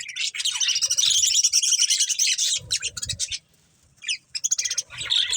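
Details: Pet budgies eating corn pour out a fast, busy stream of high twittering chirps, fall quiet for about a second, then resume chattering.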